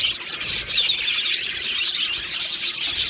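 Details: Dense aviary chatter from Australian budgies, a constant high-pitched mix of chirps, warbles and thin whistled squeaks.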